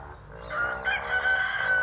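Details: A nearby rooster crowing: one loud crow that swells in after half a second into a long, drawn-out tone that wavers slightly and is held to the end, over a steady low background hum.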